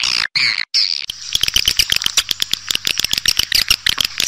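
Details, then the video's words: Swiftlets in an outdoor lure recording made to draw them into swiftlet houses to nest: dense, high, rapid chirps and clicking twitters repeated in quick bursts, with short gaps between pulses. "Bộ Âm Thanh Nhà Yến SLG | Âm Thanh Nhà Yến Hay"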